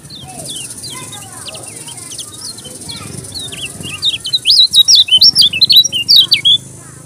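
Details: Lombok yellow-crowned bulbul singing vigorously: after a quiet start with soft chirps, a rapid burst of loud, high, twisting whistled notes runs for about two and a half seconds over a low background hum.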